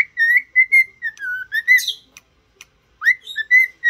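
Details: Singing cockatiel, trained to sing and talk, whistles a steady string of mid-pitched tones with slight dips, one harsh scratchy burst in the middle, then a short gap before an upswept whistle and more level notes.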